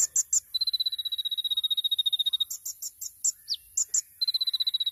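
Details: Sunbird (kolibri ninja), champion tutor recording: high chirps broken by long, even, rapid buzzing trills, with one downward-sliding note between bursts.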